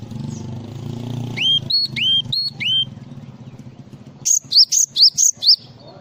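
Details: Full 'isian' song of a Java sparrow: three slurred, falling whistles, then a burst of five sharp, high, peaked chirps in rapid succession over a low background hum.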